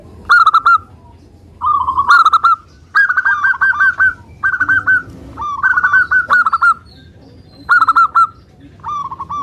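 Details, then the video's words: Vigorous song of a local zebra dove meant to lure and set off other doves: repeated bursts of fast, bubbling coo notes in phrases of roughly one second, broken by brief gaps, with a soft noise floor behind. "Perkutut Lokal Suara Gacor - Untuk Pancingan"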